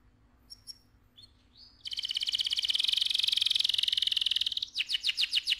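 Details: Canary song meant to excite the male and prepare the female for breeding: a few soft high chirps, then a loud, rapid, buzzy trill held for about three seconds, ending in a string of quick rising notes.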